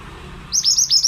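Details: Pied bushchat, a caged male used as a master recording to train other songbirds, gives a short burst of rapid, high, sweet notes with sharp downward flicks, repeated in quick succession after half a second of quiet.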